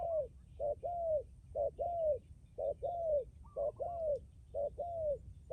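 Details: Spotted dove used as a decoy bird, cooing steadily and strongly. Paired notes, a brief coo followed by a longer falling one, repeat five times at an even pace against a soft low rumble.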